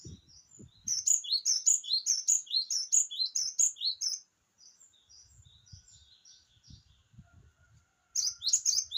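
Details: Java sparrow in full song, a lively run of high bell-like chirping notes repeated rapidly for about three seconds, then a softer trailing twitter, a quiet pause with low background rumble, and a fresh burst of chirps at the end.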